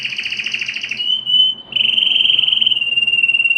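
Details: Canary song for stimulating females to mate: a fast trill leading into a long, steady, piercing whistled note with a slight quaver, held to the end.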